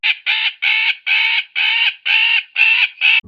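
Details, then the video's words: A magpie gives an alarm or distress call, a harsh, rattling chatter of rapid, grating notes. "the first example is an alarm or distress call produced by a magpie bird"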